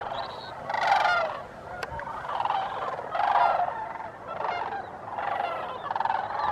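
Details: Sandhill cranes at Bosque del Apache National Wildlife Refuge, Socorro County, New Mexico, recorded December 9, 2015: loud rolling, rattling bugles from several birds, swelling in waves about every two seconds, with a brief click near two seconds.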